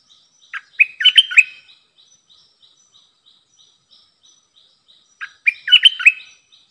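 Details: Streak-eared bulbul used as a decoy to attract wild birds sings two brisk phrases of jumbled, slurred chirps about four seconds apart, while faint high ticks repeat steadily in between.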